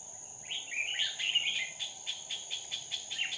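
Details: Red-whiskered bulbul at a trap on 2 May 2019, a decoy singing to attract wild birds: a fluid rising and falling warble lasting about a second, followed by rapid regular clicks under a high insect drone.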